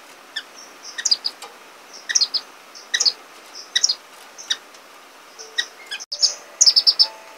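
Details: Orange-cheeked waxbill (Estrilda melpoda): clusters of high thin chirps and clicking ticks roughly every second, with a brief cut near the end before a denser burst of twittering.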